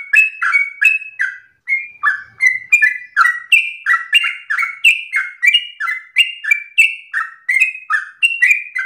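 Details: Sooty-headed bulbul delivering persistent rapid 'ropel' song: after a short opening pause, loud, clear falling whistles tumble out in steady quick succession, alternating between higher and lower notes.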